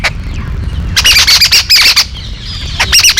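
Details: Yellow-billed babbler, locally called Kariyila Pakshi, giving harsh, squawky chattering bursts in quick clusters around one to two seconds, a short pause, then another grating burst near the end, over low rumbling background noise.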